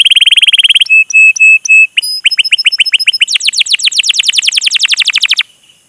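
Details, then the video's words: Energetic canary chirping played to stimulate and teach young canaries to sing; a fast buzzy trill, then steady whistled notes and upward slurs, ending in a long rapid roll of downward sweeps about four per second. "PANCINGAN Kenari GACOR PANJANG Cuit CUIT EMOSI ini AMPUH utk MASTERAN Kenari PAUD belajar BUNYI"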